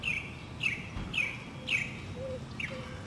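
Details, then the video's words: Northern mockingbird singing in spring 2008 in a city neighborhood in South Carolina: clear down-slurred high notes repeated roughly every half second, with a few soft low whistles from other birds in between. "Voices of Spring: Mockingbirds"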